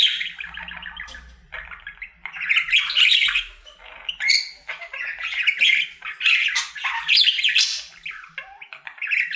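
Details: Happy domestic budgerigar, male, in his daily song session: a continuous chatter of harsh buzzy squawks and squeaky whistles rising and falling, steady bursts every second or so, faint low hum beneath.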